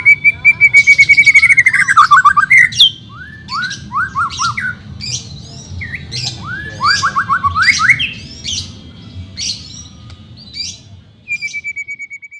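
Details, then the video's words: White-rumped shama song for training a reluctant bird: a long rapid pulsed trill that dips at its end, then varied whistled slurs and buzzy notes in quick phrases, closing with another steady pulsed trill. "CARA MELATIH BURUNG MURAI BATU MALES BUNYI"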